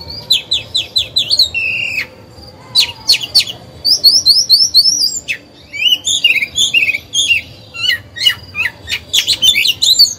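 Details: Caged oriental magpie-robin singing as a lure to make other birds sing: fast repeated high whistled notes in runs, loud rapid trills and sharp clicks, a strong, sustained and varied performance.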